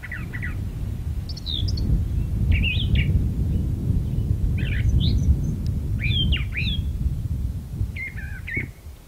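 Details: Brown thrasher perched in a magnolia tree sings a loud sequence of chirped and slurred phrases, several doubled, changing pattern every second or so, while a continuous low rumble runs beneath.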